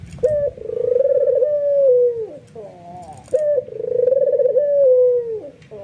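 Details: Nodding white albino ringneck dove, excited and setting off other doves: two long vibrating coos, each starting with a brief sharp note and ending in a downward slide.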